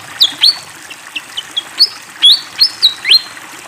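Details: Singing fantail flycatcher: clear high whistled notes, several drawn out and slightly falling, spaced irregularly. Faintly trickling water continues underneath.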